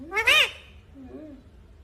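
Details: Talking Indian ringneck parakeet: a loud, rich, rising-then-falling voiced syllable, followed by a softer, lower, drawn-out wavering note, with faint low rumble behind.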